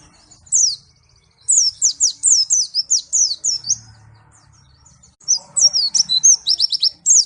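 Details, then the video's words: Pleci, the white-eye, from Malang in Indonesia, singing bright, very high downslurred whistles in fast runs of about eight to ten notes, separated by short pauses. "pleci Malang suara mantap"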